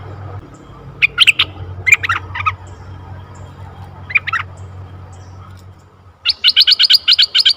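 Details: Bulbul lure recording of a red-eyed bulbul: scattered short bubbly notes in small clusters, then a rapid, even chatter of sharp repeated notes at the end, with a low background hum.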